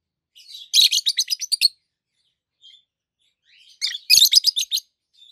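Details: Chattering peach-faced lovebirds, two healthy green adults with red and yellowish white faces: two rapid bursts of about eight shrill, rasping, high chirps each, separated by a quiet pause with a faint twitter.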